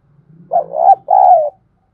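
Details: Lure spotted dove calling to draw in wild doves: a wavering, rolling coo rising into a steady buzzy note, then a long coo sliding gently downward, with a faint low hum beneath.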